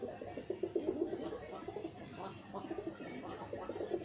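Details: Kept pigeons cooing indoors: low, throaty coos pulse in quick uneven bursts, several birds overlapping, with soft shuffling and room echo.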